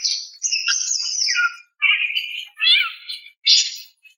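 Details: Female greater green leafbird calling a male: slurred whistled phrases, then several separate wavering, downward-bending notes, somewhat mewing in tone.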